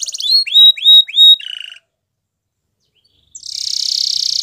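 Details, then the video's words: Canary singing: three loud, high, arched whistled slurs, then a soft buzzy trill, about a second and a half of silence, and finally a steady rapid buzzing rattle. "Canary Bird Sounds | Melodies Canary Singing"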